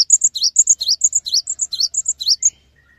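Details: A Cinereous tit, recorded as a master song to spur other tits to sing, gives quick, high phrases: paired thin whistles, each followed by a lower slurred note, repeated rapidly for about two and a half seconds.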